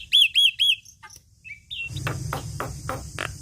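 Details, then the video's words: Javan myna singing steadily, used as a training song for songbirds: three quick whistled notes that rise and fall, a few thin squeaks and short slurred whistles, then a run of harsh, scratchy notes repeated about three times a second. "Jalak Kebo gacor Mantap Suaranya"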